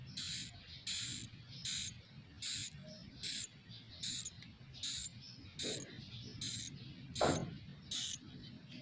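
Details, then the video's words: Young swiftlets calling in a mini swiftlet house, captured from inside the building: a regular series of rasping, hiss-like bursts about every 0.8 seconds, with a couple of brief lower knocks over a constant low background hum. "dengar suara asli anakan burung walet"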